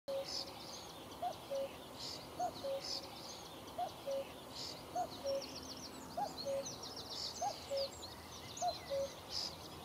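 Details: Common cuckoo calling on a sunny May morning in Achterveld, Netherlands: the classic two-note falling cu-coo, repeated steadily about every 1.2 seconds, eight times, with high chattering songbirds behind.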